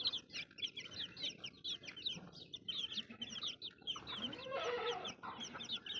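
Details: A crowd of baby chicks peeping continuously, dense high chirps overlapping, with a brief rougher, louder burst near the end of the stretch.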